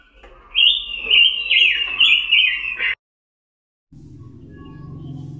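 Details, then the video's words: Indonesian pancawarna, the red-billed leiothrix, producing one sustained warbling, wavering phrase of about two and a half seconds, followed by silence and then a low steady hum. "KICAU BURUNG PANCAWARNA || ROBIN BIRD VOICE"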